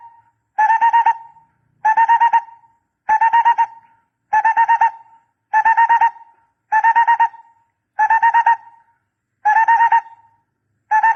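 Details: Barbet voice meant for luring: steady series of short bursts of fast, mellow tooting notes, each burst ending in a brief fading tail, about nine bursts at a regular pace.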